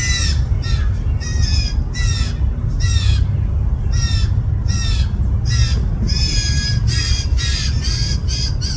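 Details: Two or more hungry fledgling blue jays in a yard on 20 June 2024, upset that parents feed them less: insistent harsh descending squawks in a rapid unbroken series, layered voices, over low rumble.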